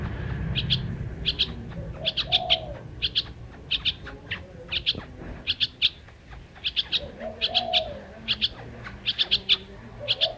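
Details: Singing bird: bright high chirps in tight pairs and triplets repeated in bursts, mixed with soft, low arched cooing phrases that rise and fall, against light background noise.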